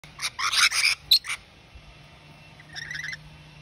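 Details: A rainbow lorikeet pair defending their territory give harsh, grating screeches in a quick burst, then after a pause a short run of rapid, higher notes.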